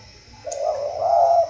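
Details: Spotted dove in Vietnam giving a single drawn-out low coo that rises slightly and then holds steady, with a steady background hum and a brief high click at the start.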